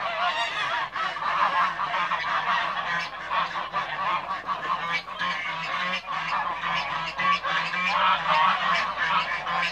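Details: Toulouse geese in a backyard flock, honking continuously for about ten seconds with rapid, overlapping, irregular harsh calls.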